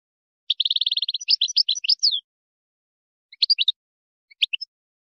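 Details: A Moroccan wydani song by a European goldfinch, for teaching chicks and hybrids: a fast rattling trill running into jumpy twittered notes, followed after a pause by two small clusters of sharp chirps.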